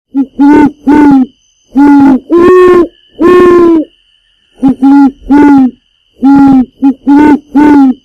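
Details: A red-gartered coot, feeding, gives deep, nasal hooting honks, mostly in pairs, about ten notes in eight seconds, over a faint steady high whine.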